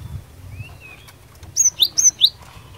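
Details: Cinereous tit singing to draw answers from rival birds: a faint thin whistle, then five quick, bright, sharply slurred high notes in a tight rhythmic series.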